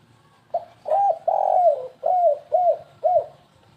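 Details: Stuttering spotted dove coo for luring birds, 'kuk3 gagap': a short note, a long drawn coo, then three evenly spaced falling coos about half a second apart.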